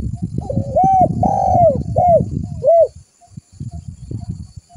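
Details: Lure call of a spotted dove meant to draw in other doves, a run of soft falling coos over about two seconds, followed by low rustling noise.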